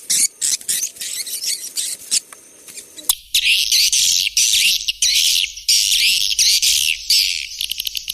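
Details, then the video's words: White-nest swiftlet chatter: scratchy high squeaks at first over a murmuring background. After a sharp click, louder buzzy twittering bursts follow in uneven groups. "SP burung walet putih"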